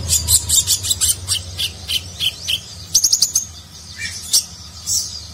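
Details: Contest-training song of a konin, or Van Hasselt's sunbird, in nagen style; rapid, high, scratchy chirps in a bright tumbling series, a quick burst of ticks, then scattered slurred notes.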